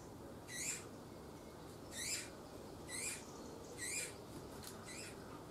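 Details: Eurasian bullfinch at feeding, 7 June 2020: five rasping, broadband bursts that rise and fall in loudness, spaced roughly a second apart, over a steady low background hiss.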